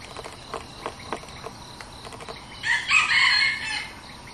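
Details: A new red junglefowl decoy, used for luring wild junglefowl, gives a single harsh, rasping crow lasting over a second. It follows a series of soft clicks and taps, with a faint hiss behind.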